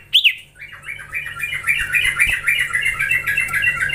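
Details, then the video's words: Young Common Iora (cipoh) in training, giving a busy run of short overlapping chirps and slurred notes at a medium-high pitch, after an opening upward-then-down whistle, with some faint background chatter. "Gacorrr ngelatih cipow cipoh anakan"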